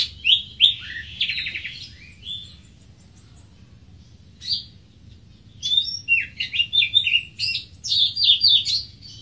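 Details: Greater green leafbird with bright opening chirps and a buzzy trill, a near-silent pause, then a fast tumbling series of high squeaky notes.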